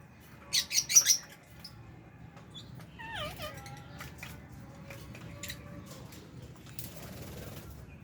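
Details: Lovebirds kept in an aviary alongside budgies while eating: a loud burst of harsh, shrill screeches, then a few thin descending whistled notes over low background rumble and clicks.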